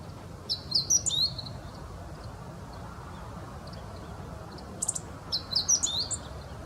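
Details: Meadow bunting singing: two short phrases of rapid, high, sharp twittered notes with slurred whistles, separated by about four seconds of quiet, low rumbling background.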